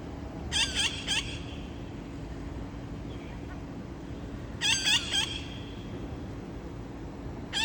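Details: Afternoon visit by parrots, 30 August, 5:20 pm, a scout summoning companions: bursts of three rasping squawks repeated about four seconds apart, with quiet hum in the gaps.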